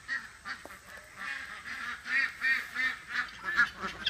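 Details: Domestic ducks: a Welsh Harlequin female released back to her flock calls for her friends as she runs, and several flock mates answer with nasal, honking quacks in a rapid, overlapping series, about three a second.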